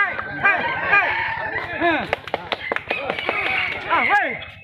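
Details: Red junglefowl in a crowing contest, where the bird with the most crows in a judged time period wins; several short arched crows overlap from different birds, mixed with steady crowd chatter and talking.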